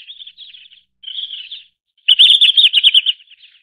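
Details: Soft, wavering twitters from a red-flanked bluetail lead into a louder, fast trill of about a dozen chirps. The trill tails off into quiet warbling.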